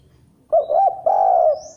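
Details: Spotted dove song meant as a faster lure for other doves: a single mellow phrase, two quick rounded coo notes, then one drawn-out smooth coo, clean and close.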